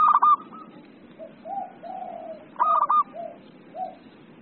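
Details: Excited 'emosi' song of a zebra dove (perkutut): a loud, quick-stuttered cooing burst, then several soft, low, drawn-out coos, then the burst again.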